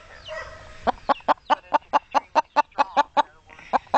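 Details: Chicken talking back to a woman who speaks to it: a steady run of short, low clucks repeated about four times a second, with a brief pause before two final clucks, and faint speech at the start.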